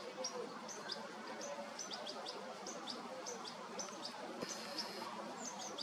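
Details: Young European goldfinch calling while fed by the mother, late August 2022. Faint high-pitched peeping notes come in quick irregular series, with a soft outdoor noise bed and a single knock near the end.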